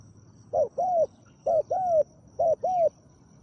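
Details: Decoy spotted dove, a captive bird used to call in a wild dove, giving a deep 'khu ang' style coo. Three crisp pairs of hollow notes, short then long and slightly downslurred, come at even intervals.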